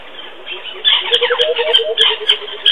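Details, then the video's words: A coucal (b. coucal) at Djuma gives a fast run of low, hollow bubbling notes over about a second and a half, mixed with harsher, higher chattering sounds. "a whole lotta b.coucal sound"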